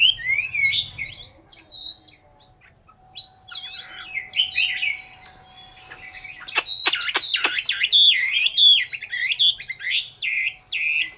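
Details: Quiet at first, then a caged Chinese hwamei in Hanoi, Vietnam, bursts into loud, jumbled song, mixing sharp snapping notes, trills and rich looping whistles that tumble rapidly through the second half.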